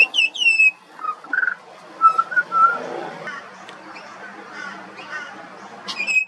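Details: A juvenile pied butcherbird sings. Two sharp descending whistles open the phrase, followed by short, mellow, flute-like notes at a lower pitch. After a pause, another high whistle sounds near the end.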